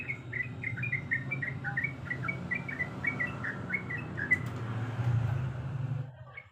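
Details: Sooty-headed bulbul female calling a male: a quiet, even run of short chirped notes repeated for about four seconds, then fading out, over a strong low droning hum.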